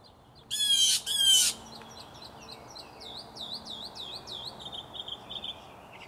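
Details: Blue jays in a territorial battle in a tree outside a home; two loud, raspy screeches at the start, then a quicker series of softer, bouncy, swooping chirps.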